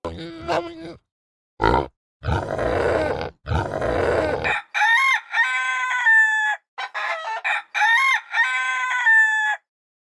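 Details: Rooster crowing in two long harmonic bursts in the second half, after rough grunting and noisy animal sounds at the start.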